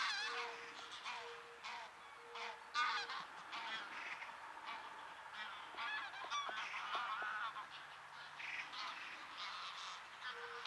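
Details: A flock of geese in flight over a field between Bresewitz and Pruchten near Zingst, Germany, where cranes also feed, gives a dense chorus of nasal, overlapping honks, with a faint steady hum-like tone near the start and end.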